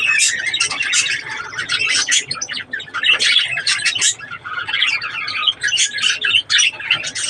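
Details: Budgerigars at breeding time keep up continuous warbling chatter, mixing rapid chirps, buzzy squawks and twittering notes that rise and fall without a break.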